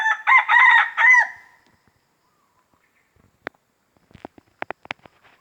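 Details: Red junglefowl crowing in a Riau plantation forest, proclaiming its territory: a quick, clipped crow of three loud syllables, then soft rustles and scattered clicks.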